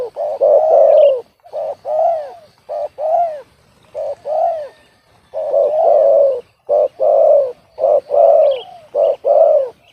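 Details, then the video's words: Spotted dove, a young bird described as having an off-key voice instead of the big voice hoped for, giving rhythmic hoarse coos in short two- and three-note phrases, repeated steadily with brief pauses between. "SUARA SUMBANG#suaraburungtekukur"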